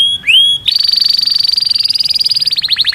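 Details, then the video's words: Canary singing to attract a mate: a few rising whistles, then a sustained vibrating trill that breaks into faster separate notes at the end. "Os tweets canários mais poderosos para não perder"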